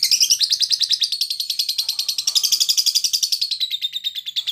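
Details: Lovebird of the timi type, recorded as long-duration training audio for fighter-class contest birds; a fast, high chattering trill of buzzy notes, steady and unbroken, gradually sliding lower in pitch toward the end.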